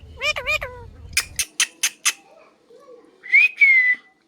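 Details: A pet parrot talking, saying its name-like word in quick nasal syllables, then a row of four sharp clipped notes, and finally two loud rising-then-falling whistles.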